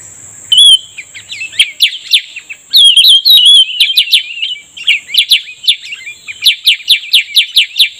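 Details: Cucak rumbai tungging during lure trapping, pouring out its seductive song. A few liquid whistles open into a fast jumble of warbles, then a run of crisp repeated upslurred chips, about three a second.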